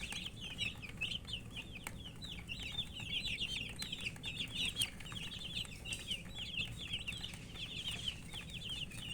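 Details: Poultry chicks calling while thirsty for water, a busy crowd of sharp descending peeps running together without pause, some clicking and tapping underneath.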